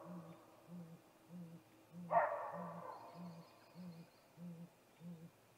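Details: At a snag tree nest on the evening of 21 April 2019, a male great gray owl calls before a nest visit: low, steady hoots roughly twice a second, broken once by a loud rasping screech.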